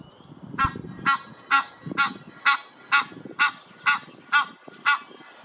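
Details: Egyptian goose family with a young gosling, resting at Parc de Monsalut, Cestas, France, in spring 2023; loud harsh honks repeated about twice a second in a steady series of ten, faint background rumble.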